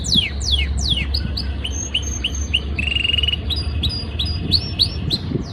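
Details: Canary in breeding season singing to impress a female: loud downward-sweeping whistles, a series of short rising notes, a brief buzzy trill, then scattered sweeping chirps and faint high notes over low hum.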